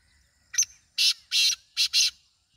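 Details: Black francolin voice, local name kala teetar: a brief clipped note, then two long grating rasps and a tight pair of harsh notes, all loud and buzzy over faint distant birdsong.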